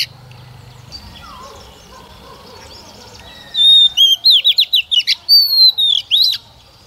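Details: Female white-rumped shama singing as a lure to stimulate males: after a quiet start, a whistle leads into a fast run of descending notes, then longer slurred whistles.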